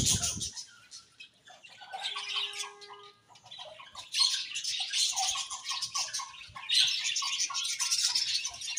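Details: Pet budgies giving a mix of high chirps, squawky notes and short whistled tones, with a brief steady whistle early on. A busy, overlapping chatter builds in the second half.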